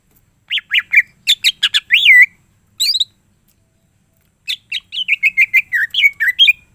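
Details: Cucak ijo (greater green leafbird) in busy gacor song with full isian fills. Quick chattering and whistled phrases, a pause of over a second, then a rapid rattling series of short whistled notes.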